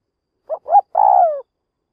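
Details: Spotted dove used as a trapping decoy to lure wild birds, giving a single phrase: two short rising coos followed by one longer, throaty coo that falls in pitch, then silence.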